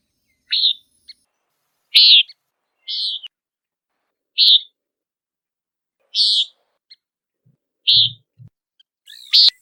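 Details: Common Nighthawk, a bird that calls while flying in search of insects, giving short, buzzy, nasal peent notes roughly every one to two seconds, eight calls in all, with a few faint low thumps between them.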